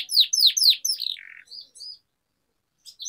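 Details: Canary song for prompting other canaries: three loud sweeping notes, a short buzzy trill, a few thin high chirps, then near silence.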